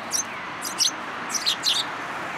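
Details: Sparrows that trailed a person hoping for food at a community hall, Japan, February 2023; sharp high chirps in quick pairs and triplets, about six notes, over low hum.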